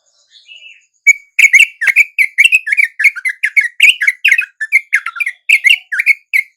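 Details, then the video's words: Wild yellow-vented bulbuls at dawn swoop in and call along with a bulbul lure: a faint thin whistle, then after a second a rapid run of bright, clipped, slurred chattering notes, roughly three to four per second, without pause. "RATA-RATA TRUCUK macet LANGSUNG NYAMBER dan IKUT BUNYI dengan pikat TRUCUK shubuh ini"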